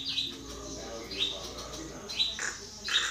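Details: Common myna giving sharp, high whistled notes repeated about once a second, each with a quick upward flick, with harsher, lower chattering notes near the end and a faint steady hum in the background.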